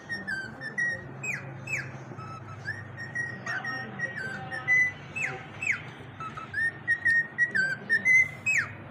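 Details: Whistling cockatiels give a lively run of clear whistled notes, some held flat and others sliding sharply downward, about two a second, over a constant low room hum.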